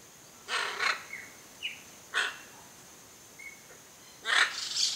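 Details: A pair of hyacinth macaws visiting a Brazilian backyard to feed on palm coconuts, including macaúba, give three loud, harsh, grating screeches roughly two seconds apart, with short thin chirps from smaller birds in between.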